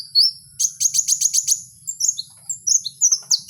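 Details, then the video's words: Wild kowul singing: a thin high note, then a fast run of about eight sharp buzzy chirps, followed by scattered high twittering notes and quick downslurred whistles, with a faint low hum underneath. "Suara asli Kowul di alam liar"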